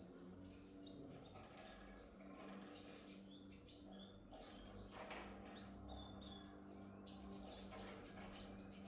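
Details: Canary song for training young canaries, heard faintly: short upward-sweeping whistles spaced about a second apart, over a noisy background with soft clicks.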